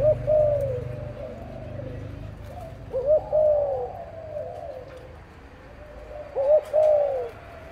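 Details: Spotted dove, one of a breeding parent pair, gives soft low coo phrases roughly every three seconds, each a short rising-falling hollow note followed by a fading tail, over a low hum.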